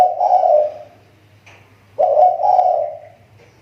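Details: Riau Islands spotted dove kept as a lure bird, its voice on the mend. Two bursts of throaty, rolling coos, each fading out, with a faint hum between them.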